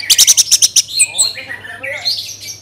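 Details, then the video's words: Orange-headed thrush, Bali, singing: a fast burst of about eight sharp chirps, then a varied phrase of rich whistles and slurred high notes; used to prompt other birds into song. "Pancingan ANIS MERAH agar cepat Berkicau Gacor"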